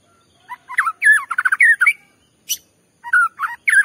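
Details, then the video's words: Provoking song of a white-rumped shama meant to stir another shama: quick twisting warbled and trilled phrases, a sharp high click, then more fluty slurred notes in short bursts. "Pancingan Murai batu bikin murai emosi"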